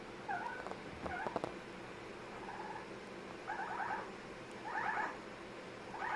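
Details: Amazon parrot giving funny sounds: short stacked, wavering notes bunched into quick rattling groups, repeated about once a second toward the end, with a few clicks early on.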